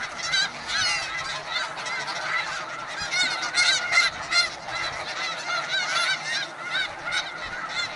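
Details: Loud, close chorus at a snow goose breeding colony in the Arctic: rapid, overlapping honks, about two or three per second, swelling and fading in waves amid the massed calling of countless birds.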